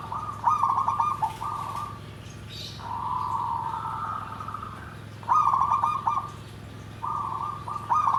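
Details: Zebra dove song described as nggandem gedhe garing. Several bursts of stuttering trilled cooing mix with a long, even, sustained coo tone in the middle. Low hum underneath, with a soft high chirp from another bird.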